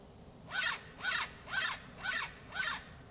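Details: California scrub jay calling to other birds at early morning: five loud, harsh, grating rasps repeated evenly about twice per second, with only faint low background rumble.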